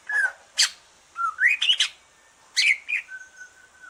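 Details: Greater green leafbird singing relaxed after its moult, used to stimulate other leafbirds: a whistled note, a sharp high click, rising slurred whistles, then buzzy chirps and a long level whistle.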